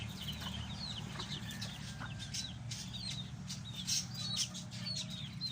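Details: Kept lovebirds chatter with many brief, high, upslurred chirps and squeaky notes in rapid overlapping bursts, a constant low hum underneath.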